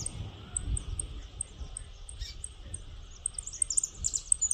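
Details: Saffron finch in the countryside (one of the owner's yellow birds) sings a quick series of thin, very high chips, about two a second, quickening into a denser burst at the end, over a steady buzz and low wind rumble.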